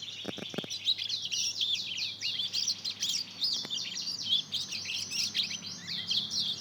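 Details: Mozambique canary and canary cross, a juvenile aged two months learning to sing, gives a long jumbled twitter of rapid high chirps and trills, opening with a few low clicks and a faint hum beneath.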